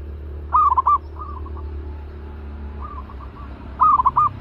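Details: Zebra dove kept in a cage, noted as aggressive and ready for decoy training, utters two bright staccato trilled coos with softer distant coo replies in between over low background noise.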